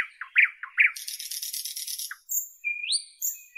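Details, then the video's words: Northern European nightingale: a few low clucking notes, then a dense, rattling, buzzy trill lasting about a second, followed by pure high whistles with an upward slide. "Northern European Nightingale Birdsong"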